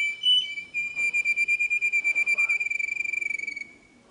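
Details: Canary song, pure and polished: a long, even rolling trill of rapid whistled pulses on one bright pitch, speeding up toward the end before it fades.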